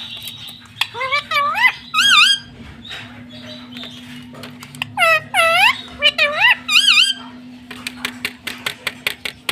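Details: Pet talking parrot, a green ringneck called tota or mitthu, kept indoors; clipped squeaky mimicked syllables in short bursts, then looping whistled arcs, then a run of sharp clicks, with a steady low hum throughout.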